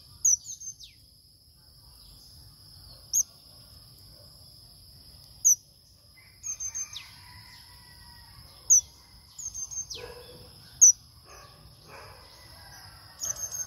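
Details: A captive male pipit gives thin, very high chirps and short trills in scattered bursts, with a steady high-pitched whine in the background.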